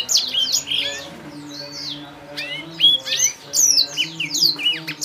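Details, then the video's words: Young Blacktrout Somerini finch from a breeder, giving clear, high chirps and sharp downslurred notes in quick irregular bursts, with a brief pause midway, over faint low hum. "Anakan Blacktrout Somerini Suara Jernih Original"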